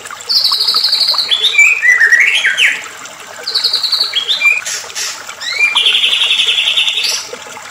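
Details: White-rumped shama singing a lure song meant to provoke other shamas: loud bursts of rapid trilled notes, high buzzy rattles and rising slurred whistles in three phrases separated by brief pauses, with a faint background hiss.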